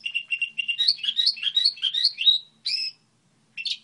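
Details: Caged goldfinch hybrid singing a model song: bright twittering phrases of fast trills and chirps around 2-5k, rising slurred notes, ending with short separate calls after a pause.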